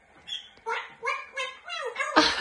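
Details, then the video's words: A pet grey parrot perched up high, fond of talking, chatters in four or five quick, voice-like syllables that rise and fall, ending in a louder, harsh burst. "Милый Жако - любитель поболтать на досуге"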